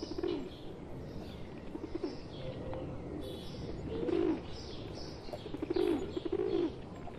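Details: Pigeons, a tame bird among wild ones in India, give low throaty coos in short bursts near 0.3, 4.2 and 6 seconds, with faint chirps of other birds higher up and steady outdoor background noise.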